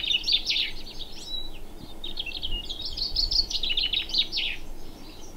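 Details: On a freezing morning on the west of the Llŷn peninsula, north Wales, two chaffinches sing right beside the recorder, each a bright cascade of quick descending notes ending in a flourish, overlapping, with faint hum.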